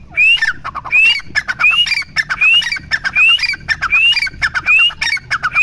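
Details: Teetar, the grey francolin, giving a steady run of loud, harsh calls. Each phrase pairs a short rising whistle with rattling clicks, repeated about every 0.75 seconds for the whole stretch, with no other clear sounds.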